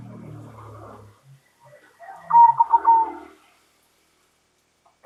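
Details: Local zebra dove's loud, answer-provoking call: after a low rumbling noise, one rolling phrase of pulsed, warbling coos sliding slightly downward, with a soft hissing background.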